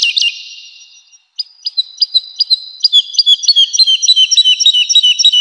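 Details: Woodlark in a spring forest, opening with a high sweeping note, then widely spaced clipped notes that quicken into a fast, even series of high chirps.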